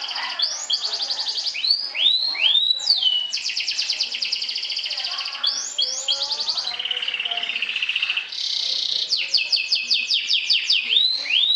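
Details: Canary, a sobek champion, trilling to conquer and provoke opponents: continuous varied song mixing loud swooping falling notes, fast rattling trills and a steadier mid-pitched warble, returning to quick high trills.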